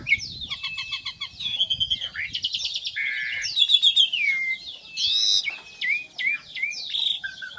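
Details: Black-winged myna singing a loud, varied, continuous medley of whistled slurs, buzzy rattles, harsh bursts and short repeated chirps, with notes shifting quickly between high and mid pitch, clean background.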